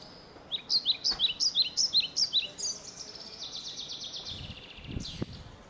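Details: Blackbird chicks begging while fed insects at a nest in a shed: a rapid run of about a dozen sharp, high chirps, evenly spaced, then a longer buzzy, rasping wheeze fading out, with a brief knock near the end.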